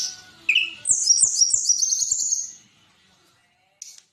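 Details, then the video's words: Olive-backed sunbird from a tutoring recording for songbirds: a short high whistle, then a rapid, thin, high-pitched trill lasting about two seconds, followed by silence and a brief final note. "Audio Masteran Tledekan Gunung Suara Tembus & Cadas"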